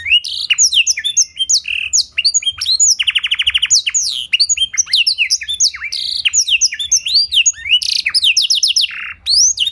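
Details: Clear-voiced canary with a blackthroat song filling, played as a lure: a continuous flow of sharp sweeping whistles and chirps, a rattling buzzy trill around three seconds, then more rapid varied notes.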